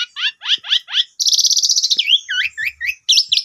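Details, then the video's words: Asian pied starling, a song lure meant to set off a newly bought bird: a quick series of falling whistled notes, then a harsh buzzy rattle and twisting slurred whistles, dense and loud. "Pancingan 2 Menit jitu !! Jalak Suren Baru Beli Macet Langsung Nyaut Gacor Boangkar Full Isian"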